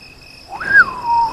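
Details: At nightfall in South Africa's Lowveld, on 19 February 2024, a fiery-necked nightjar gives a pure whistle rising sharply then gliding down to a long low note before lifting again, with steady insect hum behind.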